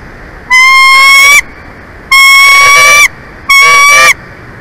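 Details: Bald eagle, one of a nesting pair in Big Bear Valley, California, 23 February 2024 at 11:04; three loud, drawn-out whistled notes, each nearly a second long, rich and slightly rising before a short downturn at the end.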